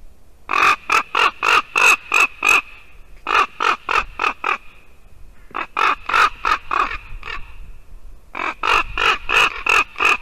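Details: Ravens at a white-tailed eagle nest in Latvia, December 2019 morning, with the female eagle present: four bouts of loud rasping croaks, each of five to seven quick notes, separated by short pauses.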